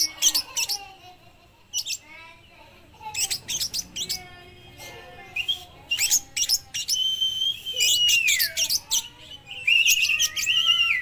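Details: Oriental magpie-robin of the spotted 'trotol' variety, singing in full voice with lovebird mimicry, suited as a lure for other magpie-robins: sharp high chirps and trills, then longer sweeping whistles and dense buzzy chatter in the second half.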